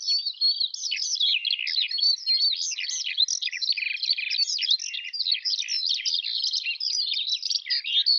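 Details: Eurasian skylark song: an unbroken, hurried torrent of high twittering notes and buzzy trills, steady in loudness, with no other sounds.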